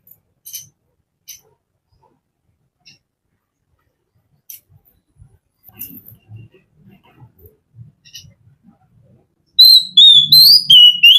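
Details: A relaxed Oriental magpie-robin (Copsychus saularis), possibly in the morning, bursts into loud, sweet whistled phrases near the end, swooping up and down. Faint scattered clicks and soft low knocks come before.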